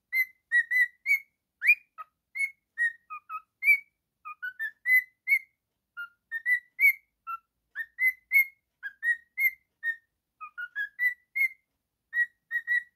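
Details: Male pet cockatiel singing a long, lively sequence of many short whistled notes that rise and fall, varying in pitch and spacing, continuous for the whole stretch with no other sounds.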